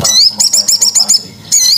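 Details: Crested jay lure call used for catching birds: a rapid run of about seven shrill, high, downward-sweeping notes over a second, a short pause, then another sharp burst, with faint voices underneath.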